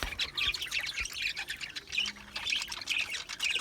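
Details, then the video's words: Rapid, tumbling budgie chirps and scratchy warbles, about two notes a second, stacked into a steady high twittering babble from more than one bird. "Budgie chirping sounds"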